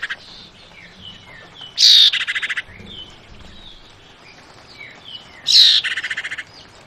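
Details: A female Javan white-eye in breeding condition calling to males gives two loud, high, buzzy chattering bursts, each under a second, about four seconds apart, over soft descending whistles from another bird.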